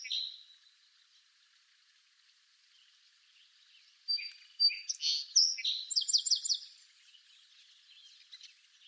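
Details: Song sparrow singing in eastern North America: a faint opening note, a quiet pause, then a bright three-second burst of varied whistled notes, a short buzz and a rapid high trill.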